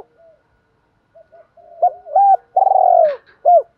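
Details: Spotted dove giving a lure call meant to provoke wild doves, in the 'two endings and three-note challenge' style: low, soft cooing notes building to a longer hoarse coo with a falling finish, then a short final note.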